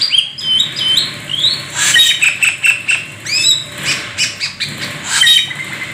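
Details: Black-winged starling, a rare exotic bird, pouring out continuous 'gacor full isian' mimicry song: rapid mixed whistles, clicks and harsh squawky notes in quick succession with hardly a pause.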